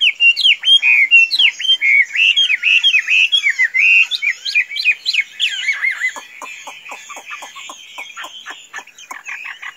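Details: Chinese hwamei, a tame bird that can be let loose without flying away, delivers loud looping whistled phrases for six seconds, then falls quiet while dry clicks and taps continue.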